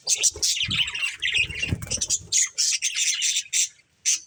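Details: Breeding pair of budgerigars kept as pets, chattering with dense high chirps and squawky notes, bursts broken by short pauses, with some low thumping noise in the first half.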